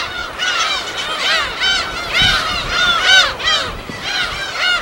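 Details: Many gulls at a colony on an uninhabited island in Korea's West Sea call over each other in harsh, arching squawks and mews, a dense overlapping chorus with several calls each second.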